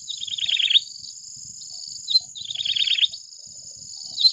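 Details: Yellow-bellied Prinia song, two jittery, warbling phrases about two seconds apart, each opened by a thin high note and dropping into a rapid, wavering chatter, set against a continuous shrill background drone.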